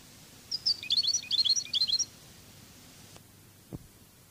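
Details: European goldfinch, Cadiz song style for teaching: four short bursts of bright high twittering over about one and a half seconds, then quiet with a couple of soft knocks.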